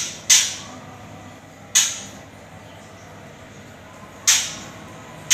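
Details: Four sharp, bright clicks or snaps at uneven intervals over a quiet low room hum, with no animal voice present.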